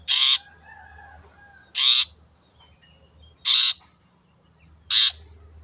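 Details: Long-tailed shrike in the wild, recorded as a lure: four loud, grating, buzzy screeches spaced about one and a half seconds apart over faint low rumble.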